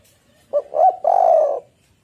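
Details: Spotted dove, locally tekukur or derkuku, singing a lure phrase to stir other doves into song: two quick low hoots followed by a long, rolling, mellow coo.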